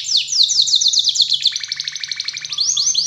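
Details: Canary song used as a lure for other canaries: rapid cascading whistled notes, a fast buzzy trill of evenly spaced chirps, then rising swept notes near the end.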